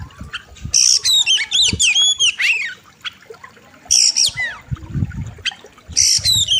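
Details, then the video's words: Loud, fierce oriental magpie-robin (kacer) song for bird training: a dense burst of slurred whistles and harsh buzzy notes, silence, then further whistled and buzzy phrases, with low thumps beneath. "KACER SADIS & KERAS, Ultimate Wild River | Masteran Kacer Gacor Tajam Full Isian"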